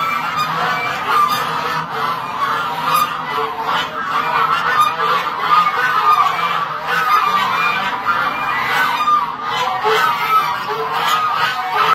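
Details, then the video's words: Long run of white Chinese geese calling, dense overlapping nasal honks and cackles with no silence between them, several birds sounding at once. "White Chinese Geese"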